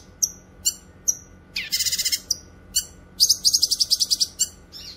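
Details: Grey-cheeked bulbul song for tutoring and luring: scattered high chips and falling whistles, then two bursts of fast pulsing rattles, the second long and evenly beaded.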